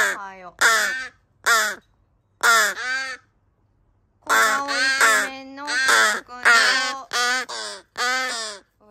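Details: Rescued crow chicks, three siblings once dumped in a garbage bag, calling in the morning in July 2022. Short rasping caws come in quick clusters, then a pause of about a second, then a longer run of overlapping, grating calls.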